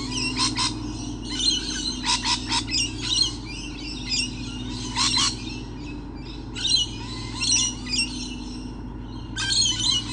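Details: Many lorikeets everywhere on 28 November 2013, a busy flock giving harsh, grating screeches in frequent overlapping bursts throughout, some doubled, against a constant low background drone.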